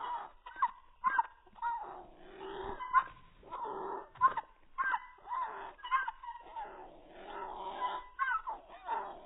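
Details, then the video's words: Pet cockatiel described as strange, giving a run of short, harmonic squeaks and whimper-like notes with quick rising and falling slides, bursts coming about every half second with brief gaps between them. "Vreemde valkparkiet"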